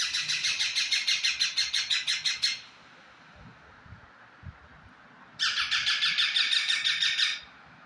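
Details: Pet parrot that talks, producing two long runs of rapid, even, scratchy squawks, around three each second, separated by a quiet stretch with faint clicks and knocks.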